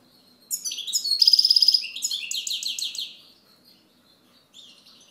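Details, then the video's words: European goldfinch singing: a burst of high twittering, tinkling notes with a fast buzzy trill in the middle, then a brief pause and a faint final note. "Chant Chardonneret"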